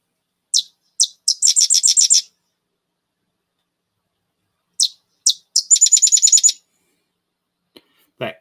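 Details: Sedge Wren territorial song sung twice: a few dry, high clicks, then a fast, sputtering chatter like a little machine gun. A brief low knock ends the clip.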